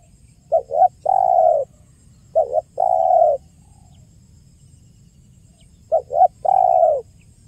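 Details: Spotted dove giving a clear 'kuk 1' style call, used as a lure for trapping and to draw other doves. Three low phrases, each two quick clipped notes followed by one long throaty coo, spaced irregularly over a quiet background.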